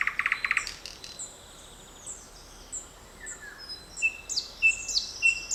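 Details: Forest birdsong recorded on 7 May 2020: an opening burst of quick buzzy notes, then several distant birds giving high thin whistles and short sharp chirps scattered across the remaining seconds.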